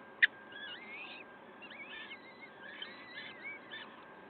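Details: Peregrine falcon at the nest in Wakefield, recorded 5 May 2021 at 06:55: thin, wavering whistled notes with bent, sliding pitch come in short bursts over a steady background hiss, with one sharp click near the start.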